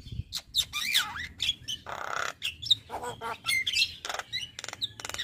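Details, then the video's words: Male Javan myna with a very active song, used as a tutor for other mynas: varied squawks, harsh noisy bursts, and sharp whistled notes in quick irregular succession, some sliding upward. "Burung Jalak Kebo Jantan Super Gacor Gurunya MAsteran Jalak"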